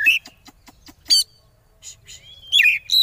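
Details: Oriental magpie-robin (kacer) in the konslet song style, used as a lure to make rival birds sing along: harsh, buzzy bursts alternate with short clicking notes, a thin rising whistle, and a sharp twisting whistled phrase at the end.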